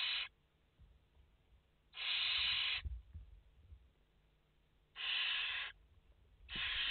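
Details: Barn owl chicks, five in the nest, live on 29 August 2021: four loud, breathy hissing bursts, with low rumbling thumps of movement between them.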